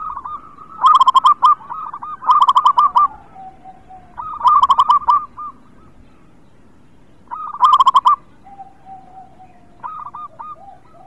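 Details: Zebra dove of local stock, an eager singer, recorded as encouragement for silent birds: four bursts of fast stuttering coos, each followed by softer rolling notes and a low drawn-out tone, with pauses between.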